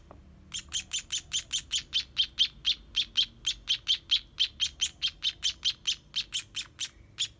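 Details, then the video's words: Baby sparrows begging while being fed: a rapid, steady series of short high chirps, about four per second, running for nearly seven seconds with little else heard. "Cara Memberi Makan Anak Burung Pipit"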